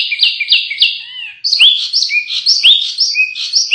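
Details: Canary song used as masteran, a model recording for training contest birds: a run of clear downslurred whistles about three per second, a short pause, then a fast, varied stream of high sweeping chirps and trills.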